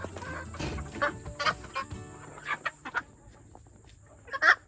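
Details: Second-generation junglefowl hybrid and game chickens gathered at feeding time: a run of separate clucks and sharp squawks from several birds, ending in a loud harsh squawk, over a faint steady high whine.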